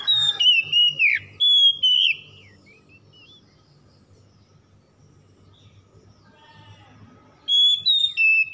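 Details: Oriental magpie-robin song used to coax stressed birds that have stopped singing. Loud whistled, warbling phrases open the recording, then a long near-silent gap with faint soft notes, then the bright whistling returns.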